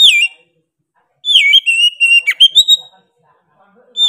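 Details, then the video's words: Oriental magpie-robin with persistent 'gacor' song: brief whistle, silence, then a sequence of slurred descending whistles and quick chip notes, followed by another whistle starting at the end. "KACER GACOR NGOTOT PEDES SUARA NYA GA DA AMPOON"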